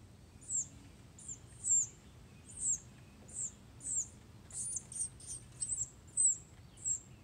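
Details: Red-bellied woodpecker chick being fed by a parent: very high, thin chirps about a dozen times, irregularly spaced and quickening toward the end, over a faint background hum.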